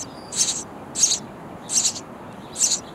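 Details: Baby sparrows begging in a bird house nest as parents bring food; four evenly spaced, high, hoarse chirping bursts about every seven-tenths of a second over steady hiss.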